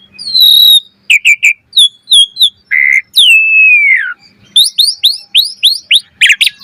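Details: Asian pied starling in lively song, used to get other starlings singing: sharp whistled notes in pairs, a short buzzy note, one long descending whistle, then a run of quick rising chirps.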